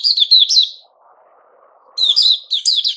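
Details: Puteh Raja, a white-crowned shama growing new feathers in September 2021, sings a quick run of slurred whistles, pauses over a low murmur, then resumes with two more fast, rich phrases.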